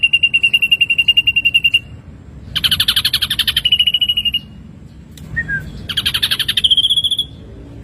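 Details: Ashy drongo as a songbird training recording: repeated bouts of fast pulsed trills, some buzzy and broad, others clear and steady, separated by short pauses with a brief down-slurred note between.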